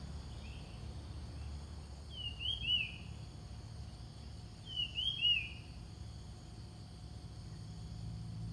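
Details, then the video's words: Ground thrush song used as a lure for wild birds. Two whistled phrases about two and a half seconds apart, each with quick rising and falling slurred notes, over a steady low hum. "นกกรงดิน/กระจาบดินอกลาย เปิดล่อนกป่า"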